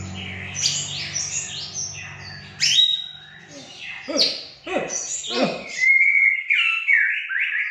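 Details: Caged Aceh white-rumped shama named El Capitano singing scratchy, varied chattering phrases and loud chips, closing with clear wavering whistles, over a low background hum.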